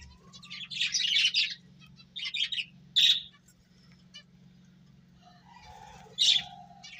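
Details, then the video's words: Finches at play and feeding give scattered short bursts of high twittering chirps with quiet gaps, plus faint lower whistled notes and a constant low hum. "Cute Birds Chirping Sounds | Beautiful Finches Eating and Playing"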